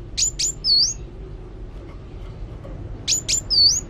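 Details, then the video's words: Actively singing sunbird gives two short phrases, each two sharp, high ticks and a curved, whistled note, separated by about two seconds of quiet. "Kolibri Wulung Gacor"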